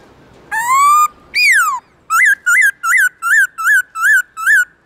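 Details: Black-throated laughingthrush in the morning giving loud, long "forest voice" song: a rising whistle, a falling slur, then a quick run of eight short hooked notes repeated at an even pace.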